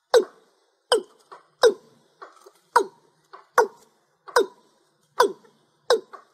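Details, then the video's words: A watercock calls as a lure for trapping birds, with abrupt, hollow notes repeated about every three-quarters of a second, each trailed by a softer, higher note. "Tiếng chim cúm núm"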